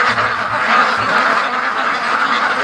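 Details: Large free-range duck flock, over 650 birds, rushing home from the lake toward feed; dense, overlapping nasal quacks form a continuous chattering din with no gaps, steady loudness throughout.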